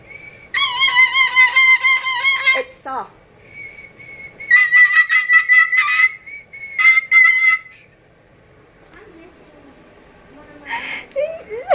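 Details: Cockatoo kept as a pet indoors repeats a newly learned trick whistle: steady, clear, high whistled tones held for a second or two with fluttering overtones, several bursts separated by pauses, while a woman quietly asks it to keep the sound soft.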